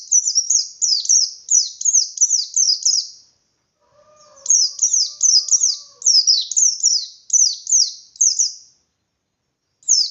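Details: Bustomi-type white-eye singing hard in ngalas style to provoke rival white-eyes. Evenly spaced, piercing descending chirps form two long phrases. A faint, steady low tone runs in the background during the pause.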